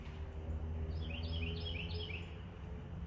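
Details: A fairly close Carolina wren, heard during a stationary bird watch, gives a quick run of high, repeated down-slurred trill phrases lasting about a second and a half, over a steady low rumble.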